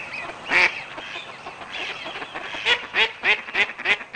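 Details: Mallard quacking: a loud harsh quack, softer nasal murmurs, then a series of five loud rasping quacks at an even pace.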